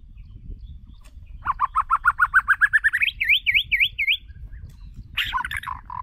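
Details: White-rumped shama kept as a decoy bird, singing for voice training: a rapid, rising run of about fifteen clipped notes, then four quick swooping whistles and a final harsh burst, over a low rumble.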